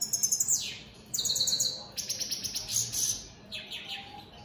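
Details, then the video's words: Goldfinches of the opal split satiné mutation singing; rapid pulsed twitters, downward-slurring notes and buzzy high trills come in quick successive phrases with brief drops in loudness. "Opal split Satane goldfinches siging"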